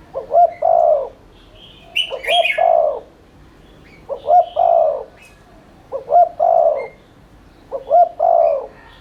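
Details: Spotted dove cooing in the rapid 'thúc liên thanh' style, used as a lure to stir other doves to coo. Low, mellow phrases of two short notes then a long falling coo repeat about every two seconds, five phrases, with faint high chirps.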